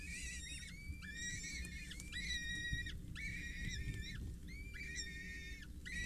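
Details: Four peregrine falcon chicks, 6-8 days old, at a water tower in Scheveningen on 8 May 2023, beg while a parent feeds them: strained, harmonic, wavering squeals that rise and fall, repeated about once a second over low rumbling background.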